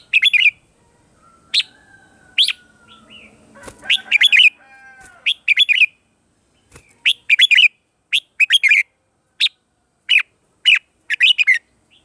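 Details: Red-whiskered bulbul morning singing for voice training and decoy use: loud, sharp chirped phrases repeated about every second or two, often doubled or tripled, with a softer rattling passage near the start.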